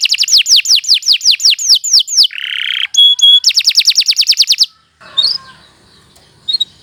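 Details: Canary in long, continuous 'gacor' song, recorded as a morning tutor ('masteran') song for beginner songbirds: a run of quick descending whistled notes, a brief buzzy tone, then a fast rattling trill, ending in near-quiet with faint chirps.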